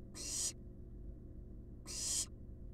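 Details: Two long, harsh hisses about 1.7 seconds apart come from wild barn owl nestlings resting in a monitored nest box, each swelling in loudness before stopping abruptly.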